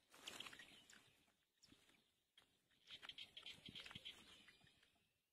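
Black-winged kite giving a quick string of thin, high, squeaky notes, about ten in a second-and-a-half burst, with a shorter burst earlier, over soft outdoor rustling and clicks.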